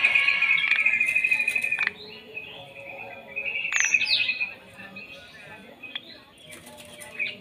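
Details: Starling kept singly in front of a house, singing a long, level, slightly trilled whistle for nearly two seconds, then a second shorter whistled phrase, followed by quieter chirps against background noise.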